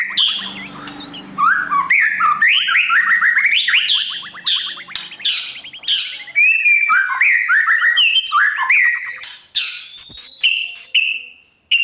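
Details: Shama song from a morning training session for wild-caught birds to compete: varied slurred whistles and rapid note runs in bursts, with short pauses and some background noise at the start.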